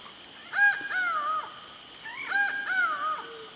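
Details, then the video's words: Two-note phrases of a laughing falcon, or acauã: a short bright note and a longer slurred, falling one, repeated twice in under four seconds while insects buzz steadily in the background. "O ACAUÃ e seu CANTO MISTERIOSO"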